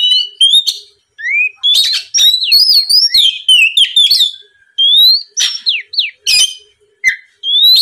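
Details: Provocative lure song of an oriental magpie-robin, ngeplong type: crisp, ringing whistles and upward-sweeping notes delivered in phrases of about a second, separated by brief silences.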